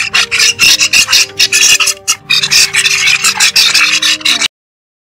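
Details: Starlings (including common mynas) feeding in the wild give harsh, rasping, grating chatter in rapid bursts, several per second, with steady low tonal notes underneath; the sound cuts off abruptly near the end.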